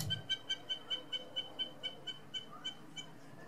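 A Hamerkop gives a fast, even run of high, nasal yipping notes, about five a second, forming a steady laughing chatter over faint background hiss.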